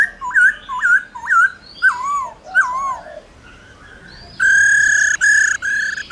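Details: A laughingthrush singing a forest-style calling song, with a female trilling, gives five clear, looping whistled phrases, about one every half second, then a louder, harsher run of strident whistles.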